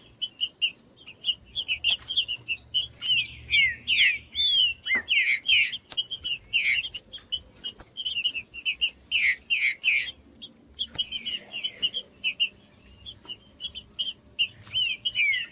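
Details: Green-winged saltator song for stimulating birds kept for song tournaments: bursts of quick descending whistled slurs recurring through the recording, with a persistent fast high-pitched chipping beneath.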